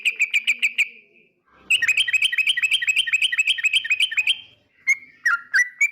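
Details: Yellow-vented bulbul (trucukan) song: a quick burst of even chirps, a pause, then a sustained rolling chatter of alternating notes, ending with a few separate whistled slurs.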